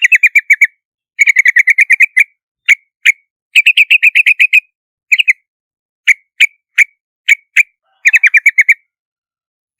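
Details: Yellow-vented bulbul alternating fast chattering runs of bright, clipped notes with scattered single chirps spaced about half a second apart; no other sounds.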